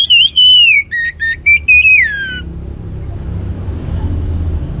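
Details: Singing Orange-headed thrush, used to provoke other birds into song: a loud whistled phrase of wavering, then stepped notes gliding downward over two seconds, then only low background rumble.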